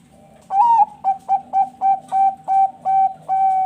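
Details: Farm-bred Bangkok zebra dove in Bekasi, West Java, singing vigorously as a lure to stimulate other doves. One wavering rising note opens, then eight short, evenly spaced pure cooing notes and a final drawn-out tone, in a quiet room.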